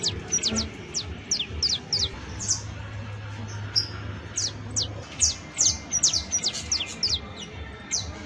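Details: Professional-style song of a saffron finch (canario basto): quick bright descending chirps in loose bursts, some notes whistled and steadier, pausing briefly midway before resuming; low hum underneath.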